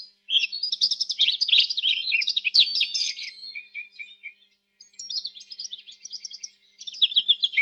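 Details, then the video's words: Canary warbling loudly in fast, high chirps and trills, about three to four notes per second, a short pause, then a softer rattling trill and renewed chirping. "صوت الكناري الأصلي | Canary Chirping Sounds"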